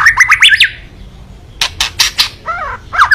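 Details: White-rumped shama in kretekan mode, to provoke a rival: rapid rising chatter opens the phrase, then loud broadband clicks, a brief wavering warble and a final harsh burst.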